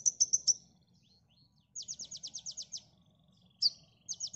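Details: Konin singing on a songbird training recording: a few piercing high notes, then a fast run of about ten rapid buzzy chirps, a single sharp note, and another quick burst, with a soft low background hum.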